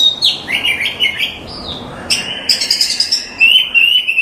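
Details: Oriental magpie-robin masteran song with quick wavering whistles, a brief lull over light background hiss, then buzzy chattering and a long clear whistle near the end.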